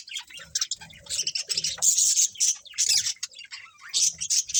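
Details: Colourful budgerigars in a colony keep up busy, overlapping chirping and scratchy chatter, with several especially loud bright bursts spaced about a second apart.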